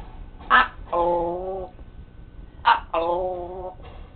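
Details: Indoor pet parrot talking, two paired phrases each made of a sharp clipped note followed by a longer, evenly voiced drawn-out syllable, repeated about two seconds apart.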